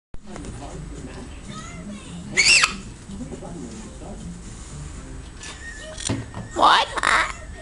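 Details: A pet severe macaw talking indoors, saying words like "hi", "hello", "what" and "knock knock": two short, harsh, speech-like bursts a few seconds apart, each rasping and high, over a quiet background.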